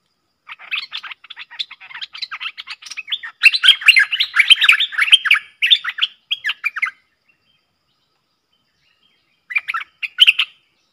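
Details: Fierce song duel between a Streak-eared bulbul pair, 30 October 2021; a long, dense stream of chattering, bubbling notes building louder in the middle, then silence and a final short phrase.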